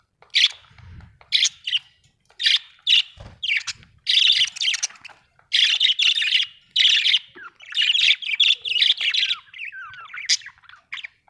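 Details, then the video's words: Budgies, Australian birds, chirping in a busy run of short bright notes, many clipped tweets and warbled chatter bunched into bursts, with a few soft low thumps between calls. "Australian beautiful birds sound 😍 budgie chirping sound"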